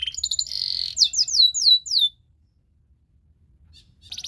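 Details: Belgian canary song meant for training other canaries: a short buzzy trill and a few swooping falling whistles, followed by near silence and a brief burst of notes at the end.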